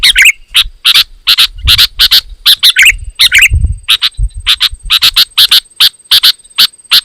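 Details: Loud, dense singing of a sooty-headed bulbul meant to rile other bulbuls into singing back; rapid, closely packed harsh chip notes, a few with bubbly warbled twists, with soft low thumps underneath and a thin constant high tone.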